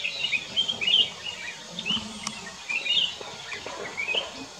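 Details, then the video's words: Black-crested bulbul song from Kyari Village in Corbett National Park, a string of brief bubbly whistled notes rising and falling, given in loose bursts over a steady outdoor hiss. "Black crested bulbul - Singing"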